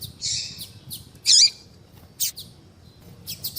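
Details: Yellow-bellied seedeater female calling to attract males, with a drawn-out buzzy high note, a loud squeaky downslurred chirp, then scattered short high chips.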